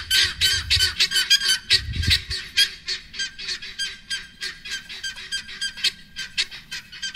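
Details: Helmeted guineafowl flock defending their territory at Northcliff Ridge EcoPark, Johannesburg, South Africa, giving harsh, grating, rapidly repeated calls, several notes every second.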